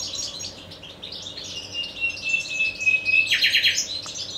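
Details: Common nightingale (Luscinia megarhynchos), song.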